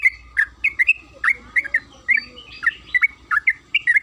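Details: Bulbul known as trucukan kebo (yellow-vented bulbul) in lively song used as a lure: bubbly, warbled note pairs tumbling quickly one after another, about three each second, with low rumbling noise.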